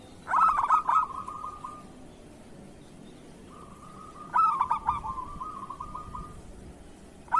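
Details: Kerot-style song of a local zebra dove, used to train other doves to sing: stuttering opening notes running into a long purring trill of about two seconds, heard twice.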